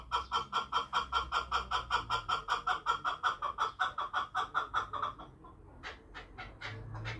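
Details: Chukar partridge uttering a steady, regular string of hoarse chuck notes, about two or three each second, which stop abruptly, followed by a few fainter higher clicks over low background hum.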